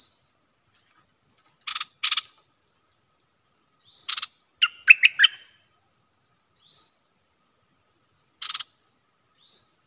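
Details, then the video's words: Red-whiskered bulbul kept as a caged decoy to lure wild birds, recorded 12 September 2021: sharp separated chirps, then a quick burst of clear, varied notes near the middle and single chirps after, over a steady faint high insect tone. "Suara pikat merbah lekir gacor"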